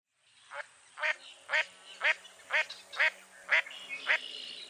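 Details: Mottled duck, a dabbling duck of eastern North America, giving a series of eight nasal quacks at about two per second, each harsh and broad-toned, with a faint steady hum in the background.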